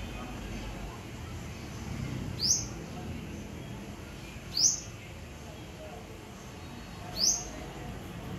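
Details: A probable yellow-bellied whistler visiting a flowering papaya tree in a neighbour's yard in the Philippines gives three thin, high, down-slurred notes spaced about two to three seconds apart over a low background rumble.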